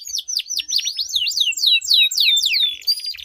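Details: Canary duel song, a long roll played to get stalled canaries singing: a run of loud, clear downward-sweeping notes repeated several times per second, ending in thin high whistles.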